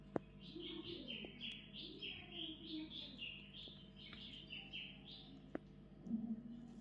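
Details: Pet parrot giving a steady run of squeaky, chirping calls, about two per second, each bending up and down. Low hum underneath and faint clicks; a person speaks briefly near the end.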